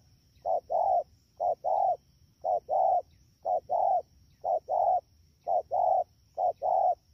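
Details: Wild-caught spotted dove recorded at Đak Tô, Vietnam, on 3 October 2019, calling in a fast style: paired coos, a short note then a longer mellow one, repeated about once a second, with a faint steady electronic whine.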